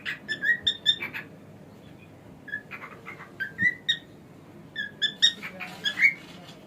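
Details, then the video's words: Male pet cockatiel whistling loud, bright, rich notes in rapid groups, pausing, then resuming with a longer run of fluty calls and a final rising whistle. "This Cockatiel Has No Idea How Funny He Sounds!"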